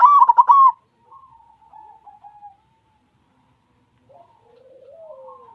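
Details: Vocal white zebra dove opens with a loud burst of rapid, pulsed coos, then trails off into faint, drawn-out tones and a few soft, rising-and-falling notes at the end.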